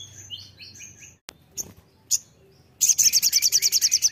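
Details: Crimson sunbird singing energetically: thin high wavering whistled notes, a few sharp clicks, then a fast rapid-fire series of high buzzy pulses, roughly three per second, ending the phrase.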